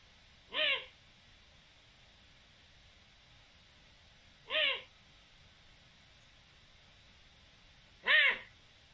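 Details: Eurasian eagle-owl recorded on 7 October 2020: three short, harsh, rasping calls, each about a third of a second, spaced roughly every four seconds over a faint steady hiss.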